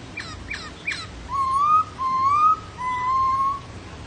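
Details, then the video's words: Laughingthrush song opening with three quick sharp notes, then three drawn-out, clear rising whistles separated by short gaps. "HÓT NHƯ KHƯỚU"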